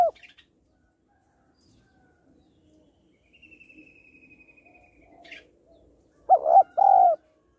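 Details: Female spotted dove calling to stimulate males: a clipped coo at the start, a quiet stretch with a thin whistle and faint chatter, then a strong two-note hollow coo at the end.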